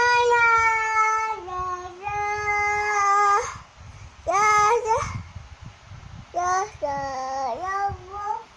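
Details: Cockatoo singing a run of rich, nasal-sounding notes, some long and level with a small downward step, others short with quick rising and falling slides, grouped into several phrases.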